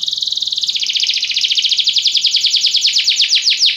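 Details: Belgian canary song used to coax other canaries into singing: one continuous high trill of quick pulses, about three and a half per second, slowing slightly toward the end.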